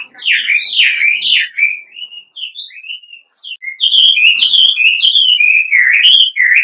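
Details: Lively wambi whistling used as a lure to make any wambi answer. Loud looping whistles lead into a quieter passage of sparse short notes. It then bursts into a dense, fast run of chirps and slurs.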